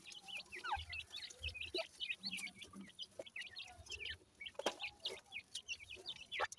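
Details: Grey francolin chicks from Punjab, Pakistan, kept for breeding: many thin, high peeping notes, each a quick rising or falling chirp, overlapping in a busy chorus, with soft low thumps and some background hiss.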